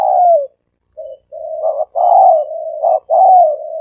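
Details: Dense dove cooing for decoying: a falling coo, a pause, then back-to-back mellow notes with stuttered accents and a long wavering coo, all in the three-coo style.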